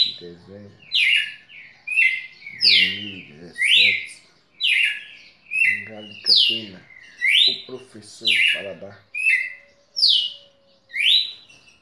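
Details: Red-cowled cardinal kept as a tutor bird, singing loud whistled phrases of rising and falling slurred notes about once a second, with human speech heard low underneath through much of the recording.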